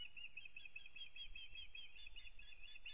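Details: Osprey pair on a nest in Kurzeme, Latvia, early in the breeding season, 9 April 2022; continuous high whistled chirping runs throughout, softer and somewhat smeared by a noisy background hiss.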